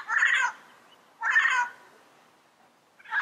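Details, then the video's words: Yellow-headed parrot calling in the wild, natural habitat: two loud, drawn-out, nasal squawks about a second apart, each rough and half a second long, with another call starting at the end. "Yellow-Headed Parrot Sounds - Natural Bird Calls and Songs in the Wild"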